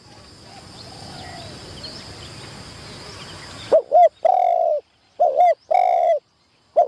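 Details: Decoy spotted dove being trained in a tent trap for the first time, for bird trapping in Thailand. A noisy hiss gives way to repeated low coo phrases. Each phrase has two quick notes and a longer, fuller closing note.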